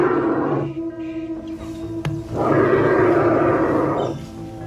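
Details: An Australian bustard (Ardeotis australis) gives two deep, hoarse roaring bursts, each about a second long, over steady background music.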